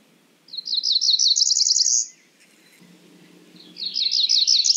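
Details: Two phrases from a Cerulean warbler, each a quick accelerating series of buzzy notes rising in pitch, with a faint low hum between them.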